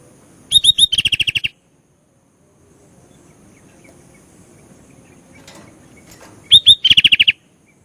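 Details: Sooty-headed bulbul repeats the same phrase twice, about six seconds apart: three rising whistles, then a rapid rattle of short notes, with faint background noise between.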